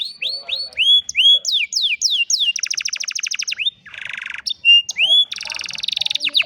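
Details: Old canary singing in the afternoon: loud, varied high song of repeated rising and falling whistled notes, fast buzzy trills and rattling rolls, phrases changing every second or so, with no other sounds.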